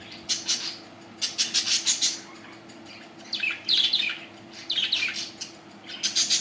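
Budgerigars chatter in quick bursts of bright, scratchy chirps and squeaks.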